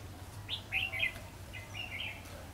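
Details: Caged decoy red-whiskered bulbul singing at a bird trap, recorded 22/2/2016, to draw in wild bulbuls; a cluster of bright warbled notes followed by softer, fainter whistled phrases, with a steady low rumble beneath.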